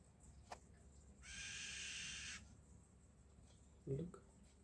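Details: Oriental magpie-robin, a lunchtime visitor that has just landed at a window after sitting silently, gives one harsh, hissing rasp lasting about a second; a sharp knock precedes it and a brief human voice follows.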